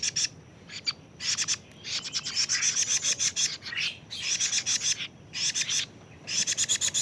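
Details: A young plaintive cuckoo, 41 days old, gives harsh, raspy bursts. Each burst is a rapid cluster of buzzy pulses, and the bursts are separated by short silent gaps. Faint background hiss.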